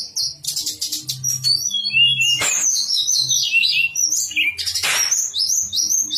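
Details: Master song of a Javan sunbird to provoke other birds into song: high chattering twitters and sliding whistles, with two sharp broadband bursts and a low hum audible underneath.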